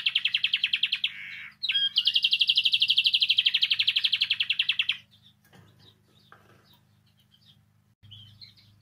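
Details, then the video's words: Canary singing, used to prompt canaries to sing: a quick warbled phrase, then a long, even, rapidly pulsed trill lasting about three seconds, followed by near quiet with faint scattered notes and a soft low hum. "Canario Cantando. (Ideal para ESTIMULAR canto de canarios)"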